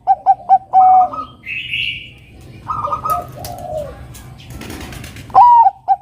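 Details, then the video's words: Bangkok-type zebra dove singing actively, used as a lure to call a rival into song: quick staccato mid-pitched coos, then a longer sustained note, a pause with softer murmuring sounds, and a final rising-falling coo followed by short repeated notes. "Perkutut Bangkok Gacor suara burung Kutut Bangkok Gacor Pancingan manggil Lawan agar Bunyi Manggung"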